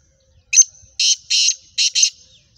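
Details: Kala teetar, the black francolin, a Gangas Sheedi cross from the Nasal Chakri Wala line, calling in speeder style. A sharp introductory chip leads into four loud, scratchy, grating notes with the last two close together, against silence.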